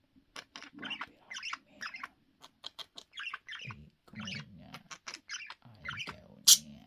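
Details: Pet budgerigars chatter in quick, scratchy chirps and squawks, broken by short pauses.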